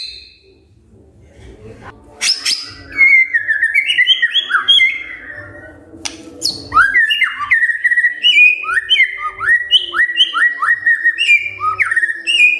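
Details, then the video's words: Magpie-robin singing in the morning, used to prompt other magpie-robins to sing; varied whistled phrases of rising and falling notes around mid-high pitch, delivered in rapid bursts after a quiet start, with faint low background hum. "Pancingan PAGI PAGI AGAR MURAI GACOR❗ murai diam pasti ikut NYAUT❗❗"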